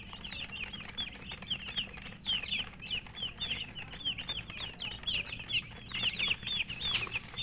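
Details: Chicks (murgi) eating and chirping nonstop: a lively chorus of high, sharp, downslurred peeps from many birds, with pecking clicks and a brief louder scrape near the end.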